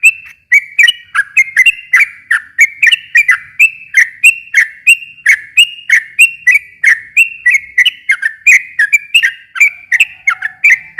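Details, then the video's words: Sooty-headed bulbul in nonstop, fast song meant to provoke a silent bird into replying. Continuous bubbly whistles, each note sliding up or down, come about three per second for over ten seconds. "kicau suara trucukan gacor ropel panjang ini ampuh buat pancingan trucuk macet agar nyaut bunyi lagi"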